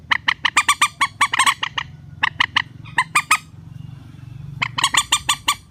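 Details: Rail lure calls for netting birds in a relaxed style: dense stuttering rows of harsh nasal notes, several overlapping, a short quiet gap with low background hum, then another rapid burst.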